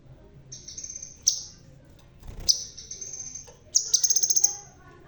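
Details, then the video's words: A crimson sunbird with a red tail, bald but still in full voice, sings long, thin, high buzzy notes. The phrase ends in a rapid rattling trill of about eight pulses, over faint low background noise. "Burung Sepah Raja Ekor Merah.. Biar Botak Tapi Tetap Gacorrrrr.."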